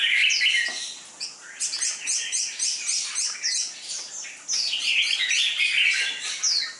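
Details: Dense, lively chirping and warbling from a red-whiskered bulbul readied for competition, known for an aggressive fighting style; phrases come in loud bursts with brief pauses between them.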